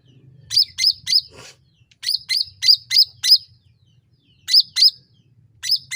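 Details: Sooty-headed bulbul calling to coax other birds into answering: groups of three and five piercing high chirps, each flicking downward, over a low steady hum in the background.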